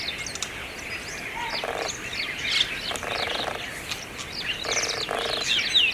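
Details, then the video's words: A Brahminy starling (myna) in Aurangabad, India, sings a rapid, varied jumble of high chirps, squeaks and creaky whistles, broken by short, harsh, rasping bursts; other birds may be chattering too. "Unique Hair Style singing bird"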